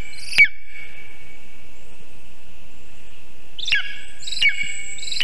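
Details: At 9:24 am on 19 August 2023, a nest camera on a birch in Zemgale, Latvia, records a Lesser spotted eagle while a vole is brought to the nest. One abrupt yelp is followed after a pause by two more in quick succession, with a constant high hum behind.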